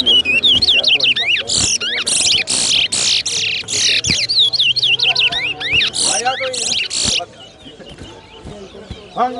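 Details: Chestnut-bellied seed finch (Sporophila angolensis), a brown towa towa, singing in a morning bird race at Sheriff Street bird ground: fast, rich slurred whistles, rising and falling runs with harsher bursts, softer voices at the end.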